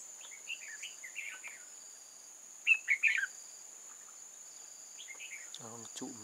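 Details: Red-whiskered bulbul serving as a trap decoy, 8 October 2018, delivers rapid chirpy warbles and one loud falling phrase of three notes. Faint clicks come at the end, with a continuous high-pitched insect drone behind.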